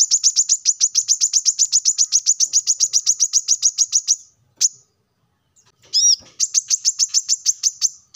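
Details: Plain-throated sunbird, a lively singer used as a lure recording to prompt lazy caged birds to sing: a fast run of sharp, high chirps, about four a second for four seconds, then a pause, one note, and another rapid burst.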